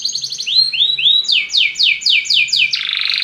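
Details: Belgian canary singing, used to stimulate other birds: rapid high trills at the start, then slurred rising whistles, a run of repeated descending sweeps about four per second, ending in a buzzy sustained trill.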